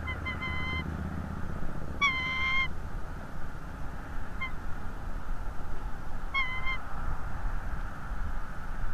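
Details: Bald eagle at a nest in northeast Florida, picked up by a live nest camera: three bursts of high, thin piping whistles in short chattering series, spaced several seconds apart, over steady low background rumble.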